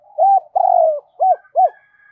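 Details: Cu gáy decoy dove cooing to stir up wild doves. Four loud hollow coos: a brief note, a longer quavering drawn note, then two short rounded notes. A faint thin tone trails at the end.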